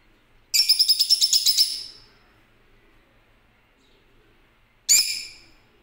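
A lutino lovebird gives a fast burst of about a dozen shrill, harsh chirps over one second, then a single loud screech after a pause.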